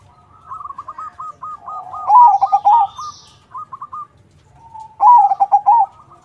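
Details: Zebra dove song, crossing style, used to get other doves calling back: long series of soft coos building into a loud rippling phrase, then a second loud phrase after a pause.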